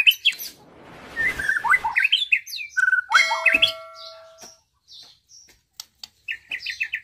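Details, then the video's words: A captive-bred young white-rumped shama, about 9 months old, at a tea plantation in Gambung, Pasirjambu, Bandung, sings a rich, varied song of rapid whistles, chattering phrases and sharp rising notes. It was tutored on lovebird, canary and other species' songs, and ends in a quick repeated series of bright chips. "MB BRUCE LEE"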